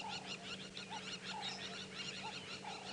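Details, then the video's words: Upset lapwings give a rapid, harsh run of high, clipped alarm notes, several a second, on a sunrise safari drive at 6:30 AM on 18 May 2017. Nearby impala recognise the alarm call. A vehicle engine hums low and steady behind. "these impala have recognized the call that those lapwings are making as an alarm call"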